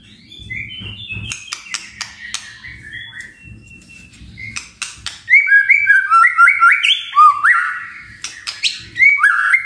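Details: Magpie-robin lure song for prompting vigorous singing: soft, scattered high chips and a faint low hum at first, then a loud burst of rapid, bright whistles with quick upward slurs, scratchy notes mixed in.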